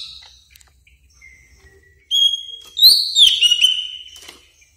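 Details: Greater green leafbird, a caged bird used to train others, giving a clear sustained whistle followed by loud complex slurred whistled notes sweeping up and down.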